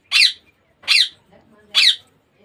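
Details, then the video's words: Three separate rasping squawks from a baby Indian ringneck parakeet, evenly spaced about eight-tenths of a second apart, with quiet pauses between them. "Baby parrot sound Ringneck Parrot natural sound."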